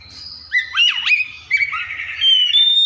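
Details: Copsychus saularis mimicking other birds: a rapid V-shaped whistled swoop, then a dense, rolling, buzzy warble that ends in a thin high whistle.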